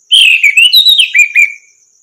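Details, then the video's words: Orange-headed thrush song used as a tutor recording to get other songbirds singing: one loud, rich, whistled phrase of fluty slurred notes lasting about a second and a half, ending in two short falling whistles, over a faint steady high hiss. "masteran burung anis merah macet bunyi langsung nyaut gacor"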